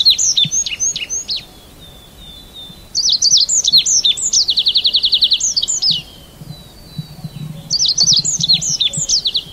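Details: Red avadavat uttering shrill high 'psip' notes in three bursts, the middle one ending in a fast even buzzy trill of clipped notes, with quiet pauses between bursts.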